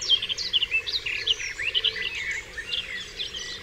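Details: Dawn birdsong on Dewlands Common, loud bright chirps and warbled whistles bursting in quick succession, softening toward the end, over a low faint buzz.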